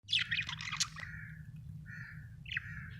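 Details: Happy budgerigar chirping: a dense burst of high scratchy chirps and warbles in the first second, then softer short whistled notes, over a steady low hum.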